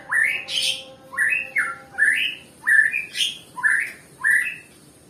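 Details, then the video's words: Nias white-rumped shama, a bird said to sing only sluggishly. It gives a series of loud, clear whistled phrases, each a quick upward sweep, repeated about every half second with brief pauses. The background is quiet. "Murai batu yg males bunyi ya seperti ini contohnya"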